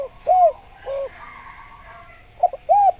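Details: Spotted dove (tekukur) masteran recording with scattered soft coos: two short rounded notes, a pause with faint background murmur, then a quick double note and one arched coo.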